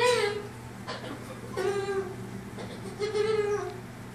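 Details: Blue-and-yellow macaw named Andre, playing and getting his belly rubbed, gives three drawn-out, nasal, mewing calls, each about half a second, level then falling, over a steady low indoor hum.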